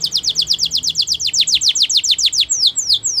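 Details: Champion canary training song made of quick repeated downslurred whistles, about seven per second, slowing into a few wider swooping notes near the end.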